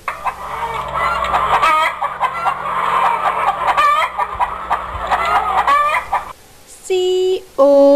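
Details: Hen clucking steadily for about six seconds, with a continuous layer of mid-pitched clucks and short harsh notes, followed by a voice spelling out letters.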